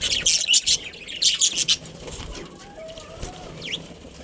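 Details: Breeding budgerigars in a colony burst into quick high chirps for under two seconds, then fall quieter with one brief rising call near the end.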